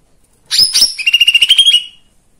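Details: Lesser green leafbird song, played to provoke other birds into singing: two loud high whistled notes, then a fast even trill of about a dozen notes that rises slightly and fades, on a silent background.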